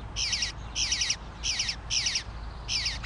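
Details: Bluebird fledgling, male, calling for food: five strident, rasping bursts in three seconds, each a quick stuttering series of harsh notes, separated by brief pauses, low background hum.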